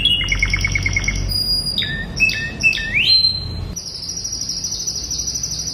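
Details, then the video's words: Spanish Timbrado canary in classic song for training young birds: a quick trill, then swooping rising and falling whistles, ending in a long, high, rapid rolling trill. "CANTO CLÁSSICO de TIMBRADO ESPANHOL para ENCARTE de FILHOTES"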